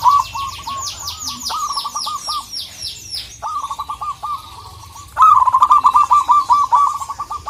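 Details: Local zebra dove calling to a rival, used as a lure to get other birds singing: rapid runs of staccato cooing notes repeated in bursts, with a louder, faster series near the end; a descending whistled series from another bird overlaps at first.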